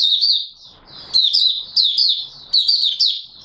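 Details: Singing Oriental white-eye, 24 March 2022: thin, sweet, high warbled notes slurring up and down in quick phrases, broken by a brief rustle near the start.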